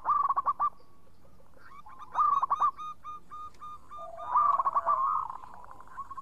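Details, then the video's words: Local zebra dove singing persistently with a clear voice: bursts of rapid, bubbly cooing notes repeated in three phrases, with a fainter, higher harmonic-rich series and a lower coo overlapping near the end. "Pancingan Perkutut Lokal Gacor Suara Bening"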